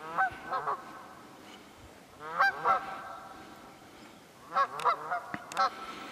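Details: Wild geese honking in Pennsylvania's Quehanna Wild Area in late February; clusters of two or three nasal honks come in bursts about every two seconds, with quiet gaps of faint background hiss between them.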